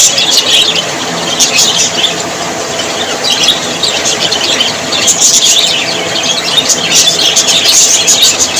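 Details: Happy budgerigars: rolling high twitter with squeaky warbles that rise into louder bursts around the middle and end, several birds calling together.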